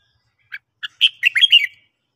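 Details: Red-whiskered bulbul morning song: two soft introductory chips, then a fast, sweet warbled phrase of rising and falling whistled notes lasting under a second, in otherwise quiet surroundings.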